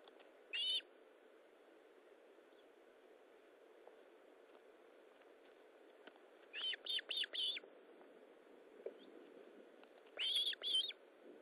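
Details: At the Osprey nest during feeding on 19 July 2012, 9:43: a single whistled note, then a quick run of four short whistles near six seconds, and another rapid burst of clipped whistles near ten seconds, over hiss.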